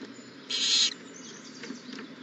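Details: Owl at the nest on the morning an owlet hatched, April 20, 2019; a single harsh, airy hiss of about half a second, then faint rustling.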